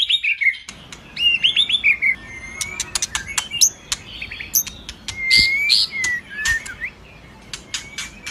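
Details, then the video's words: Lure song of a white-rumped shama, used to stir a male's arousal and make him sing: varied phrases of clear whistles that bend up and down, mixed with rapid sharp clicks and a few high squeaky notes. "Pancingan suara burung murai, Meningkatkan Birahi Murai"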